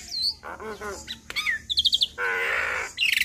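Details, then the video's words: Black-winged myna song used as a lure to make other mynas respond: a mix of harsh buzzy phrases, a sharp rising whistle, rapid chattering notes and a long rasping grating note, ending in quick chirps. "Jalak Kebo Gacor Full Isian Sekali Putar Semua Jalak Bakal Nyaut"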